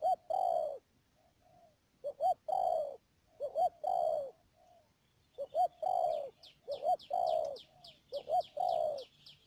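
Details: Decoy spotted dove calling during bird trapping in the Mương Điều area of Đầm Dơi, Cà Mau, March 2019; hoarse coo phrases of two clipped notes and a drawn-out downslurred note, repeated, later joined by quick high chirps.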